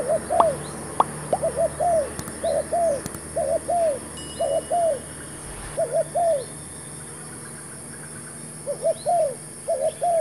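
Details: Newly brought spotted dove acting as decoy in dove trapping with a fresh trap: rapid runs of paired arched coos for several seconds, some sharp clicks and knocks, a quiet gap, then cooing resumes.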